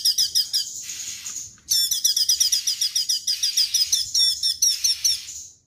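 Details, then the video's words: Straw-headed bulbul in lively 'tembakan' song: a brief burst of quick high notes, a pause, then a long rapid sequence of bright, clipped phrases. "CUCAK CUNGKOK GACOR TEMBAKAN HANDAL"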